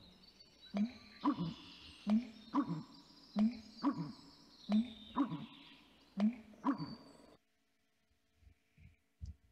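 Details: American Bittern, a bird of large wetlands more often heard than seen, giving its deep, far-carrying pumper-lunk call: five low, hollow, booming phrases, each about a second and a half apart, then quiet.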